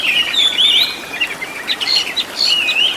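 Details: Oriental magpie-robin training song for caged birds: a continuous warbling stream of sweet whistles and twisting slurred notes, moderately loud over a constant background hiss.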